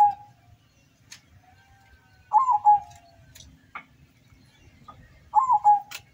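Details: Contest zebra dove from Windusari, Magelang, singing at a local bird contest in Suruh, Semarang regency, Central Java. Mellow phrases of clipped coos trailing into a longer falling note, repeated about every three seconds, with scattered clicks around.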